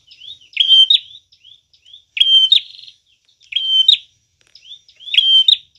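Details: Prinia used as a trapping lure, singing loud, piercing phrases about every one and a half seconds: a level whistle ending in a sharp upward snap, with soft thin slurred notes and one buzzy rattle between them.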